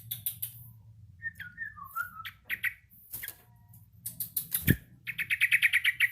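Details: Yellow-vented bulbul learning its song: short whistled phrases near the middle, then a quick run of repeated bright notes at the end, with scattered clicks and a low background hum.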